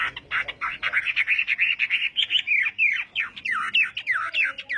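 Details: Chinese hwamei practising its song in the morning: a dense, fast stream of loud warbled notes, followed by repeated downward-slurred whistles at a steady quick pace.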